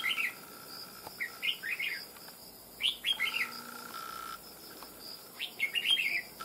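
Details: Wild-caught red-whiskered bulbul, trapped over nearly two months and now settled, with a loud ringing voice: four bursts of quick warbled, chirpy phrases spread through the stretch, over a steady high drone from the surroundings.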